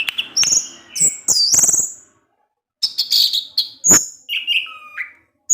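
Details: Orange-headed thrush kept as a cage bird, in ngecip ngecis teler song: busy high whistles and chips, a silent gap, then sharp clicks and a wavering whistle that drops and rises.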